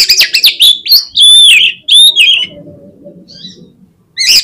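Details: Lure song of an oriental magpie-robin, meant to spur other birds of its kind to sing: a fast run of rich whistled phrases and chirps, then a faint low murmur before another burst begins.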